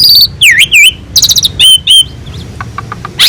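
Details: Actively singing Asian pied starling, master recording used to teach other birds: V-shaped whistles dipping and rising, a dense rattling burst, then slurred downward whistles and soft ticking notes before a final loud rising phrase.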